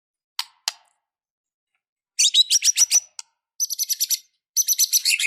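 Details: Energetic fighting song of a white-rumped shama. Two dry clicks, then bursts of rapid, high chattering notes, each pulsed run lasting under a second, separated by short pauses.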